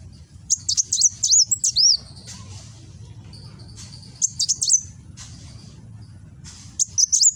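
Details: Kolibri Wulung sunbird, Gresik, East Java, 'nembak' song captured by phone: a quick, excited string of very high sharp notes and slurs, a quiet gap, then further shorter bursts of the same thin chips, with background hum.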